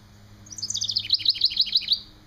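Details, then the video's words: Male House Wren singing near its nest, 11 May 2011: a fast, bubbling burst of high trills, about a dozen rapid notes tumbling slightly downward over one and a half seconds, with a faint low hum beneath. "House wren sings"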